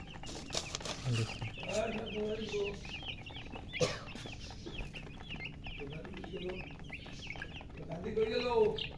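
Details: Colour chicks of domestic chicken chirping, thirsty for water; rapid high descending peeps run throughout, joined by lower rounded murmuring sounds near the start and end and a sharp click in the middle.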